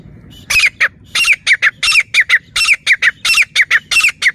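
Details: Grey francolin calling, in a hunting context: loud, harsh, squawking notes in a rapid rhythmic series, paired notes repeating about every half second after a brief quiet start, with no other clear sounds.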